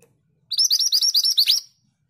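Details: Scarlet minivet singing steadily for songbird tutoring: around nine sharp, thin whistled notes, each curling upward and falling away, delivered in a fast even burst just over a second long, the last note loudest, otherwise quiet.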